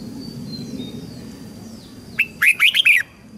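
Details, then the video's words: Red-whiskered bulbul singing a practice phrase to teach young birds: after a quiet start with faint thin whistles, a lively burst of five or six fluty, bouncing notes. "Chào mào luyện giọng giúp má trắng học giọng hiệu quả, kích chim bổi nhanh hót và căng lửa."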